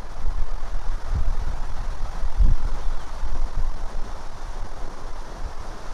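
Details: A low, continuous rumble like an engine or vehicle dominates, with a few dull thumps and no animal voice.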